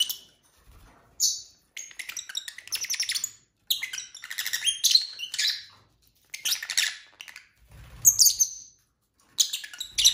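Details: Several pet lovebirds indoors at dinnertime, chirping and squawking almost without pause: dense bursts of shrill, raspy chatter and high twittering notes, broken by brief silences and a few soft low knocks.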